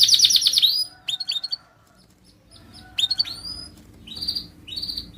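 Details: Canary song for singing-contest training: a loud rapid trill at the start, then scattered short chirps and rising whistled notes separated by quiet gaps.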